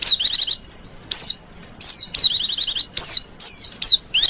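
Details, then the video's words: White-eye, a female whose calls serve to lure others of its kind, gives fast buzzy chattering trills in short bursts, alternating with clear descending whistles, all high-pitched with gaps of quiet between. "Burung pleci betina lenjeh manja pemikat burung pleci"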